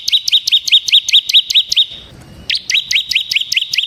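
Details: Bar-winged prinia singing steadily, a caged bird used to lure and teach other prinias: evenly spaced, clipped, high chirps at about two or three a second, in two runs broken by a short silence.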